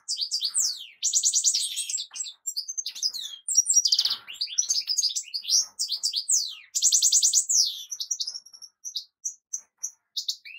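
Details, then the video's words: Energetic European goldfinch song, a continuous stream of liquid twitters, dry buzzy trills and quick whistled notes, very high and varied, with a few short gaps near the end. "طائر الحسون سيد التغريد"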